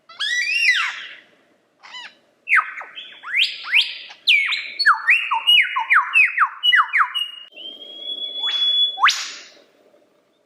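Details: Lyrebird in full song: stacked falling whistles, then a long rapid series of loud downward-sweeping notes, a drawn-out steady whistle and a final sharp upsweep.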